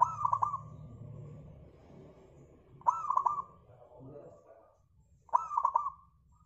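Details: Local zebra dove song, used as a lure to set other birds singing: three short phrases of rapid, rolling coos, each starting with a sharp note and trailing off, spaced a few seconds apart over faint low hum.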